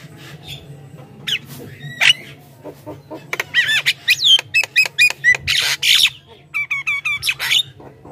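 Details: Lively Javan myna chatter meant to draw in wild mynas: a dense run of rasping squawks, clicks and bright whistled slurs that grows into rapid repeated notes, then ends in rising whistles, with a low hum beneath.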